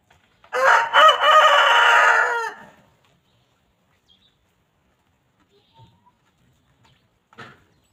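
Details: Free-range chickens roaming a farm; a rooster gives one loud, harsh, drawn-out crow lasting about two seconds, followed by near silence and a faint scuffle.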